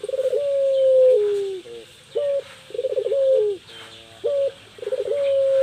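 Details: Coos of a female Island collared dove, called puter pelung, kept to lure a male: stuttering onsets run into long, slightly falling mellow notes, alternating with short clipped coos, several in quick succession.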